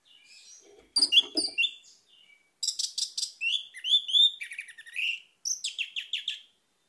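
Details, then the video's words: Lure song of an orange-headed thrush for reviving a bird that has stopped singing: quick, varied high notes, some buzzy, others slurred whistles, packed into three loud bursts with brief gaps. "ANIS MERAH MACET AUTO GACOR"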